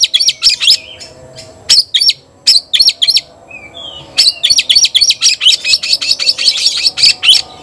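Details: A white-rumped shama calls out to a rival to fight, giving clipped, high chirps and rising whistles in quick runs, a short soft whistled slur between bursts, then a long fast rattling series near the end.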